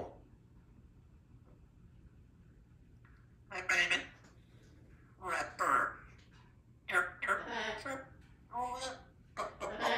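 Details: A baby female African grey parrot practises her words in the morning, muttering human-like words in short bursts about once a second, with a few sharp whistles mixed in, in a quiet room.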